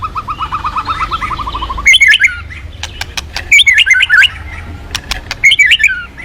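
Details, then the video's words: White-rumped shama song used to prompt other birds to sing: opens with a fast, even run of mid-pitched notes, followed by loud, varied, jumbled whistled phrases interspersed with sharp clicks and ticks. "Pancingan Burung murai Crpat gacor"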